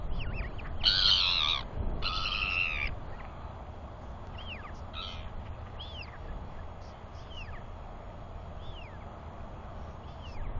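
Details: Royal albatross chick wheeing during a feeding and preening visit from its father while another chick calls nearby, 9.6.21. Two harsh broadband bursts open, then a series of thin, downward-curving whistles repeats over soft low rumble.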